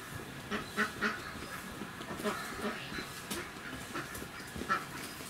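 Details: A male sulphur-crested cockatoo at Rakujuen park, Mishima, Shizuoka, Japan, 24 November 2018, gives short, harsh, throaty squawks in quick, uneven bursts over a steady background hum.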